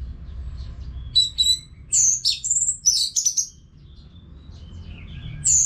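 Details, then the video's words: Orange-headed thrush kept in a cage, song played to train other birds: scattered, very high, thin whistles and sharp slurred notes in short clusters, with quiet gaps between them and a faint low rumble. "ANIS MERAH GACOR TIADA HENTI TANPA NGETEM BAGUS BUAT TERAPI BURUNG AGAR IKUT NGEPLONG NYAUT"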